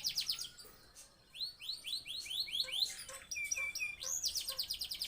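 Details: Male canary in breeding condition singing: series of high, rapid repeated downslurred notes forming rolling trills, with a few lower tones and a bright piping phrase.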